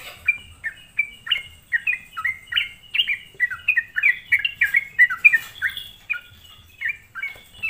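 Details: Sooty-headed bulbul song used as a lure to provoke other bulbuls: a dense run of short bubbly notes dropping from about 3k to 2k, several per second, with a steady faint high hiss in the background.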